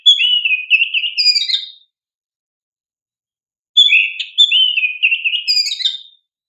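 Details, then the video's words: Kacer, or oriental magpie-robin, lure song meant to prompt young birds to sing: two long rich phrases of varied whistles and quick warbled trills, each nearly two seconds, repeated after a clean gap. "Pancingan Kacer GACOR Cocok untuk Terapi Burung Kacer Bakalan agar LANGSUNG RESPON"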